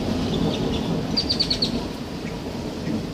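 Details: A grackle scolds at a storm: a quick run of five sharp, high chips, with a few scattered squeaks, over a steady rumble of storm and rain.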